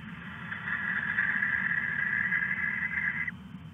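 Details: Barn owl inside a nest box, recorded at 10:16 PM on 17 July 2015: one drawn-out, harsh, hissing screech lasting about three seconds, steady in pitch, over a constant low hum.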